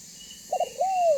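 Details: A single spotted dove phrase in the banggo voice, used to draw other doves to call and approach: two brief clipped notes followed by one long, smoothly arching coo that tails downward.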